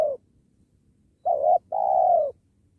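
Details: Spotted dove coo recorded while trapping doves near a sacred tree: a quick undulating low note, a brief pause, then a longer smooth hollow coo, against a quiet low hum.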